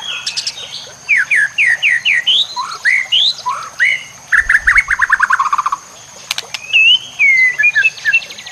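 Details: White-rumped shama song for training other shamas, set against nature sounds and trickling water: clear upslurred notes repeated in series, a fast descending trill of short notes, then varied whistles, with a few sharp clicks.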